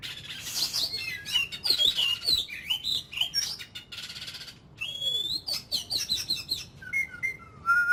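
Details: Ornamental Oriental magpie-robin singing during a daily "kích lửa" firing-up voice-training session. A rich, fast stream of high, varied whistles, trills and sweeping notes, with a lower steady whistle near the end.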